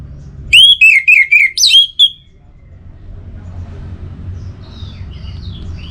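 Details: Orange-headed thrush song from Singaraja in North Bali: six quick, loud whistled phrases with descending slurs and a final rising flourish, followed by near silence, faint chirps from another bird and low rumble.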